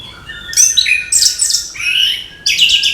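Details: An orange-headed thrush in the morning gives loud, rich warbled phrases, with sweeping whistles and scratchy trills in two bursts and a brief gap between them.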